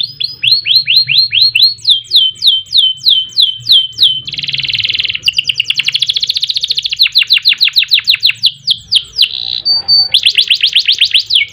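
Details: Canary singing a long, varied song for tutoring other birds: repeated descending whistles, a buzzy churring roll, rapid fine rattles and more swooping whistled series, nearly continuous for over ten seconds.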